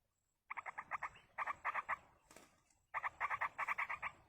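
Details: Begging of Yellow-vented bulbul chicks fed by a parent in the wild, heard as three bursts of quick, harsh repeated notes separated by short pauses.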